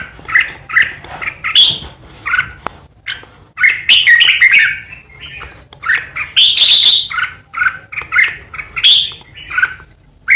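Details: Lively song of a decoy red-whiskered bulbul: clusters of chirpy, warbled notes with short gaps, and a loud buzzy ché outburst in the middle.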